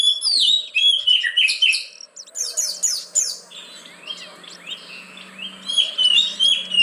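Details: Lure song of an oriental magpie-robin for caged birds that will not sing: quick whistled downslurs and chips, a sharp high burst, then softer warbling over a faint low hum.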